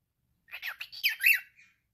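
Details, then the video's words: Male cockatiel kept as a pet, talking: a short burst of raspy, speech-like syllables with rising and falling chirpy tones, ending in a brief softer note. "Calopsita falando. male cockatiel talking"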